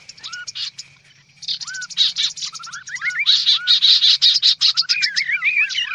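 Kaso-kaso birds chatter busily, dense high twittering mixed with short rising slurred whistles that come in quick bursts, several birds calling over one another.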